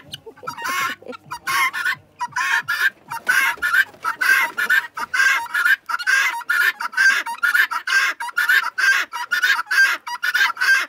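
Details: Female guineafowl give harsh, rasping calls in a rapid, steady chatter, about one a second, while being talked to.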